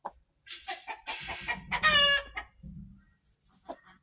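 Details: Black Australorp momma hen, 14 September 2023: a few sharp clucks build into a loud, harsh, drawn-out squawk, then fall to soft low murmurs and a couple of quiet clucks.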